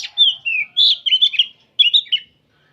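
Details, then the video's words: Oriental magpie-robin singing in the afternoon among many birds, used as training audio; a loud run of clean whistled notes and slurs, a short silence, then three quick bright notes. "Kicauan kacer ombyokan bahan disore hari"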